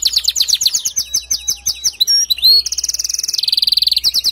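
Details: Male canary singing to get a female building a nest: choppy repeated chirps, a couple of pure upward whistles, then a dense buzzy roll and a fast even trill.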